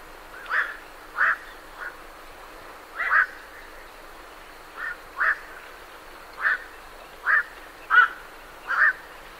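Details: Night herons flying off from a roost utter a steady run of short, gruff squawks, often paired, about one per second, clear and fairly close over faint background noise.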